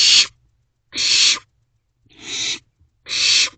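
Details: Night-time nest box owlets on 28 May 2023 at 2:26 am produce four screechy, noise-like hisses in quick succession, each about a third of a second long, with a weaker third burst.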